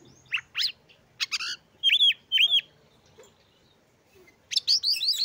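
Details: Oriental magpie-robin singing to rouse other magpie-robins; upslurred notes, two loud looping whistles, a quiet gap, then a rapid run of rising notes.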